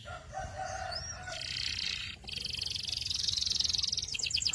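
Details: Canary singing soft, warbled phrases that lead into a long, dense buzzy roll of rapidly repeated high notes, ending with a few separate descending whistled pulses; steady low hum underneath.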